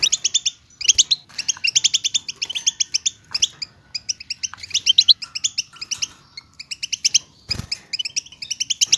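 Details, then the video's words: European goldfinch song played to encourage silent goldfinches to sing: vigorous bursts of ringing twittery notes separated by brief pauses, with one dull thump near the end. "اتحداك اذا لم يغرد حسونك مع هذا التحفيز , بتبتة تقلق الطيور الصامتة"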